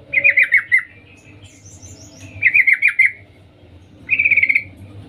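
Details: Sooty-headed bulbul female calling to attract the male: two bursts of four to five clipped 'cuk' notes about two seconds apart, then a fast blurred trill.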